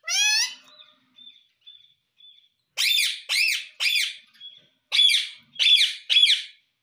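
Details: Indian ringneck parrot kept as a pet repeating "mummy mummy": a rising opening note, soft short peeps, then two groups of three harsh, strongly harmonic calls, indoors.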